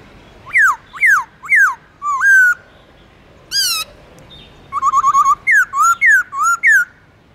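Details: Captive black-throated laughingthrush singing in the forest-voice style with long slurred phrases, used to coax wild-caught birds into song: clear whistles sliding down, a buzzy rising note, then a rapid run of short notes and repeated rising-falling whistles.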